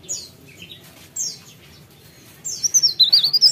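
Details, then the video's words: High, thin descending whistles from a mountain leaf warbler, spaced apart at first, then a quick run of sharp repeated notes in the final second, over quiet background hiss. "CIKRAK DAUN | PARE PARE GACOR"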